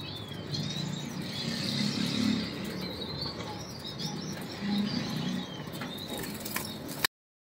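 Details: Blue pied dove, kept at a bird farm, giving low coos around two and again near five seconds, amid a background of busy chirping from other birds.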